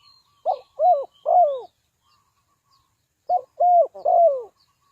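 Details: Trapping decoy spotted dove delivering two three-note phrases of soft, falling coos, each opening with a short note. Faint high chirps of other birds are heard in the background.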